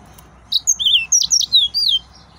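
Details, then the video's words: Excited male yellow-fronted canary gives a short, bright phrase of high sliding whistles and chirps that ends in a falling note. "تغريد مرعب سورا الموزمبيقي"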